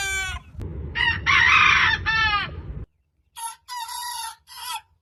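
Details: Crowing rooster: broken crow phrases among harsh broadband noise in the first half, then three short separate crowing bursts with clean silence between them.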